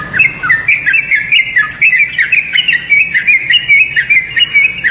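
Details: Yellow-vented bulbul giving a continuous, lively stream of bubbly chirps and short warbled notes, rapid and uneven, with no pauses and no other clear sounds.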